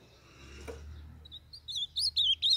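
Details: Blue-black grosbeak from the Brazilian Northeast, a young bird, singing for training and warming up: after a quiet start with a brief noise, a run of clear warbled whistled notes rises and falls in quick phrases over faint low hum.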